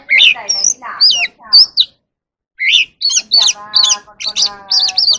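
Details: Evening song of a wild oriental magpie-robin during a song-and-dance display: twisting whistled notes mixed with harsh, nasal, buzzy calls, a short silence, then a run of looping whistles over a grating undertone.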